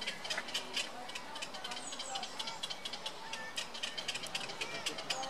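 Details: Black-crowned night heron chicks being fed keep up a dry, rattling chatter of high ticks and clicks, several each second, with faint hissy background noise.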